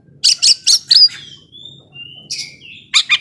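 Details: Oriental magpie-robin song meant to rouse slow-tempered rivals; a few harsh chattering notes, then long thin pure whistles, ending with two more rasping bursts.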